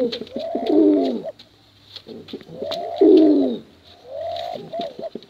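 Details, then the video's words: Male and female contest pigeons cooing in long, low, mellow phrases that swell and fade, two bouts about two seconds apart, with faint clicking and rustling in the background. "Suara Bekuran Burung Merpati Lomba Hutan Dara"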